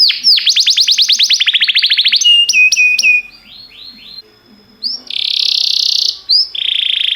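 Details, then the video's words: Canary song for training canaries: rising then falling notes in a fast series, a run of pure steady whistles, softer trailing phrases, and loud buzzy rolls near the end. "Cantar canário faz seu canário cantar - o melhor treinador"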